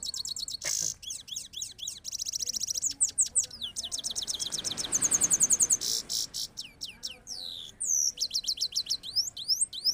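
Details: Goldfinch singing in Parachinar, compared with a Kabul goldfinch: fast, bright twitters and quick rising and falling slurred notes in rapid bursts, with brief buzzy trills between phrases and a faint hiss in the middle.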